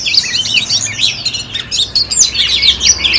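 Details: Caged oriental magpie-robin from Ho Chi Minh City, Vietnam, delivering fast, varied high twittering song, notes tumbling about twice per second.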